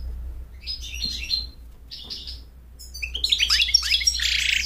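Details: American goldfinch song meant to attract a mate and teach chicks: soft buzzy phrases with gaps, then a loud burst of rapid chirps and harsh buzzy notes, over a low hum.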